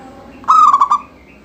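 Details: A single song phrase from a lively local zebra dove, sung to prompt other doves to sing: one drawn-out clear coo breaking into a rapid stutter of three short notes, with faint background hum.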